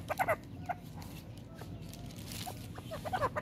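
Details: A female grey francolin feeding with her chicks gives soft, short clucking and peeping notes in scattered bursts of two or three, over a steady low background rumble.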